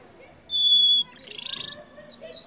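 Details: Brief yellow canary phrase: one clean, steady high whistle, then a rough buzzy burst, followed by a few quick high chirps.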